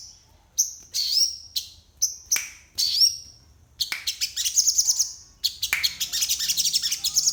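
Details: Crested jay singing isian style in the morning: separate sharp high chips with brief whistled tails, then a dense rapid chatter of high, buzzy notes running to the end.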